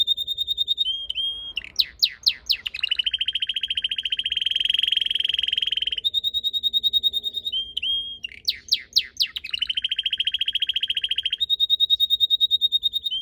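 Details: Red canary singing in a garden by purple azaleas in late March: twice a high trill gives way to loud descending sweeps and then a long low buzzy rolling trill, the phrase repeated.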